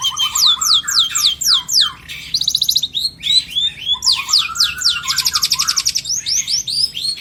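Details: Long-tailed shrike delivering a varied 2022 song meant for training contest birds: sweeping descending whistles, a fast buzzy trill, and repeated slurred phrases over a rapid stream of chirps.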